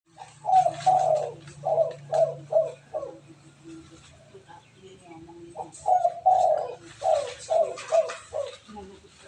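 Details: Spotted dove giving the "kuk 4" coo style, used as a tutor recording for other doves: two bursts of low, rolling coos, each a run of short repeated notes, separated by a quieter gap with faint background murmur.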